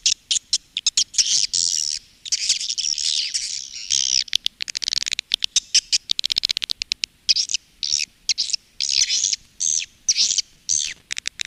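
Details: Indonesian swiftlet farmers' calling and roosting sound, Women Flower style: bursts of high buzzy twittering interspersed with clipped chirps and clicks, shifting between dense chatter and spaced notes.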